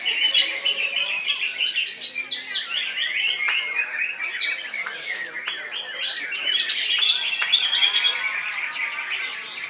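Greater green leafbird pouring out a loud, unbroken stream of rapid chirps, whistles and harsh notes, with faint voices in the background.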